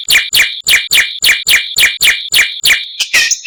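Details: Masteran recording of a White-rumped shama with a richly varied song: nine evenly repeated harsh, buzzy notes, roughly two per second, ending in a scratchy rushed flourish.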